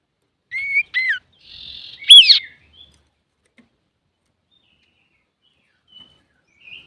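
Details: Singing male common iora (cipoh, sirtu), used to provoke other birds: two clear downslurred whistles, a short buzzy trill, then a loud complex whistled phrase, followed by quiet.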